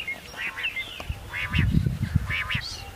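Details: Common quail (Coturnix coturnix), song.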